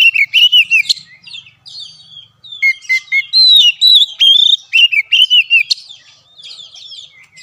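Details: Oriental magpie-robin (kacer) song used as a training recording to lure a silent caged bird into singing: bright whistled phrases that rise and fall, with rapid chirps and sharp high notes in quick bursts.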